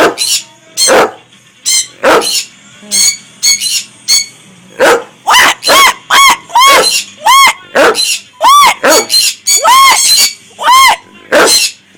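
Sun conures give loud, harsh screeches in quick succession, some arching up and down in pitch.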